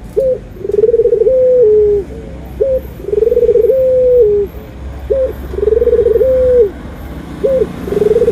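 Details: Cooing anggungan of a Barbary dove (puter), white and brown birds compared: a steady run of about three and a half phrases, each a clipped opening note then a trilled, held, downward-sliding coo, at a regular pace.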